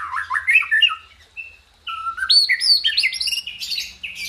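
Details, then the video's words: A white-rumped shama delivers tembakan and isian song, with varied whistled notes climbing and falling in quick succession, a short pause, then a rapid cascade of high chirps. "Dahsyaaatt Tembakan & Isian Murai Batu // AmAzing Bird chirping like no tommorow"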